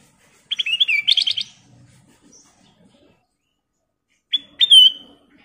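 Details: Kutilang emas, the Sooty-headed bulbul, in lively gacor song: a rapid burst of bubbling, chattering whistles, then a pause of about three seconds before a clear, drawn-out whistled note with a downward slur.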